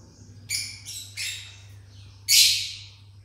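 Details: Pineapple conure chicks begging: a short series of harsh, raspy high squeaks with pauses between, ending in one louder drawn-out screechy call.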